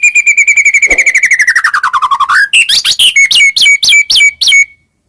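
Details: White-rumped shama singing as a master song to provoke other shamas, opening with a long rapid trill that slides gradually downward, then a series of sharp, high whistled notes repeated about four times a second.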